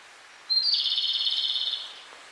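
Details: Japanese robin singing energetically from a song post beside a small lake on the way to Lake Kussharo, Hokkaido, Japan; one high clear opening note followed by a rapid, even, rattling trill lasting about a second, then fading, over quiet background.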